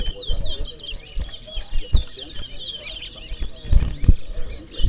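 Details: Towa towa song at a bird singing contest in Berbice, Guyana: steady sequences of short high whistles and chips, repeated without pause, with a murmuring crowd and occasional knocks in the background.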